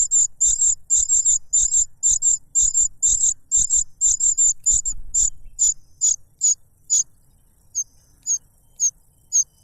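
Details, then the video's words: Cuckoo chick begging from its foster parent, which stuffs a butterfly into its beak; fast, high, sibilant chirp bursts that slow into spaced single notes, then fade to sparse soft calls. "The cuckoo bird is too noisy when trying to grab food杜鹃鸟抢食太吵闹了"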